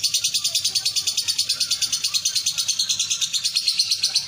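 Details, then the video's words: Competition lovebird entered at a bird contest in Betung, Banyuasin, Palembang, pouring out a steady high-pitched chattering trill, notes pulsing roughly three times per second without pause. "LOVE BIRD "BIMMA""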